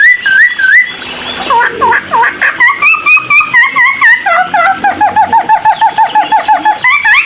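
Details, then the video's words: Cucak timor singing loudly to stir other birds to answer: clear rising and falling whistled phrases, a run of dipping notes, then a fast even series of repeated whistles. "CUCAK TIMOR GACOR EMOSI....‼️100% BIKIN BURUNG LAIN LANGSUNG NYAUT"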